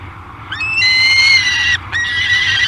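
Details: Young peregrine falcon, 53 days old, at its nest in July, giving two drawn-out, harsh, wailing calls, the first over a second long, with a brief break before the second; steady background rumble.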